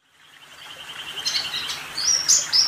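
A sunbird gives a thin, high, steady note that breaks into sharp, very high twittering chirps, growing louder toward the end.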